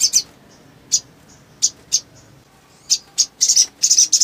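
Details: Little spiderhunter in full voice, calling to excite others of its kind: isolated sharp high chips at uneven intervals, breaking into a quick stuttering series of buzzy high notes near the end.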